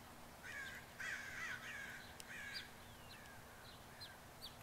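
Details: Crows arriving in waves on a grassy field in the early morning of 3 July 2014, part of a gathering of about a hundred birds; several hoarse, harsh caws overlap in the first three seconds, then fainter distant calls over a low steady hum.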